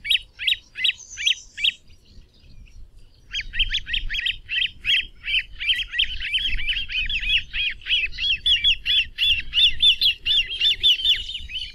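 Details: Great crested grebe: a few separate high piping notes, a short pause, then a fast unbroken chatter of rising-falling whistled calls that runs to the end.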